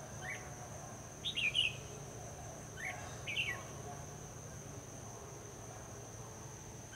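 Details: Red-whiskered bulbul used as a decoy in a trap in the late afternoon, singing to lure wild bulbuls; two short, bright warbled bursts about two seconds apart, with faint chirps and a steady high insect hum throughout.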